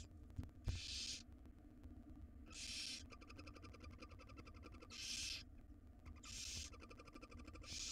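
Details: Begging from wild barn owl nestlings being fed a jird by their mother: loud, long, wheezy screeches with a faint buzzy ribbing, about five across eight seconds, over low background hum and an early click.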